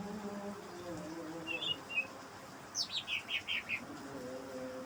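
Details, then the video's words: Night recording of a greater green leafbird, meant as a lure for other leafbirds. A couple of soft chirps lead into five clear notes dropping steadily from high to lower pitch, over a faint low hum. "suara cucak ijo di malam hari buat pancingan ijo bahan"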